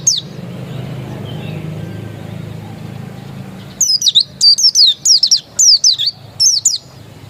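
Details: Oriental white-eye, dakun type, singing after a few seconds of quiet low hum: sharp, very high-pitched falling chirps in quick pairs and triplets, delivered in bursts a little under a second apart.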